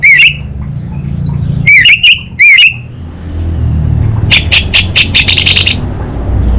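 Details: Orange-headed thrush kept for song contests in Singaraja, Bali, Indonesia: three loud swooping harmonic whistles, then after a pause a fast, accelerating run of clicking, buzzy notes, over a low background rumble.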